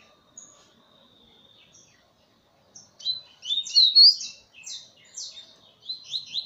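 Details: Double-collared seedeater on a hand starts quietly with a faint thin note, then breaks into a rapid, high, chattering warble of tumbling notes.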